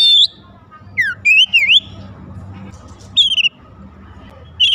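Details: Magpie-robin song played to make other magpie-robins sing: short scattered whistles, a falling slur and quick zigzag notes, separated by pauses, over a soft steady hum.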